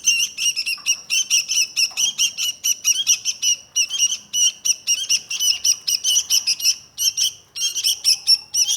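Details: Sooty-headed bulbul giving a long run of quick, sharp chirps, nearly continuous and evenly spaced, broken by a few short gaps, with no other clear sounds.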